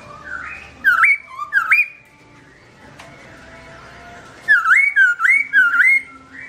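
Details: Black-throated laughingthrush (Garrulax chinensis) singing melodiously while its owner is away: two ringing upslurred whistles, a quiet gap, then a quick run of four similar notes.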